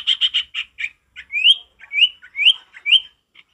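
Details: Vigorous male sirtu with natural forest singing: several quick buzzy notes, then a row of upslurred whistles rising sharply, each about half a second apart.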